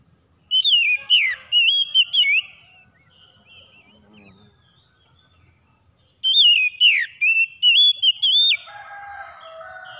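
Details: Oriental magpie-robin singing after dawn, meant as therapy for stressed birds: two bursts of loud whistled phrases several seconds apart, with quick upward and downward slurs and twittering notes, separated by near-silence.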